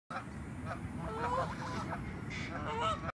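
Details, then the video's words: Several geese in Denver making strange noises: nasal, honking calls, some rising and squeaky, in a loose overlapping chatter over a steady low rumble of background noise. "geese making strange noises"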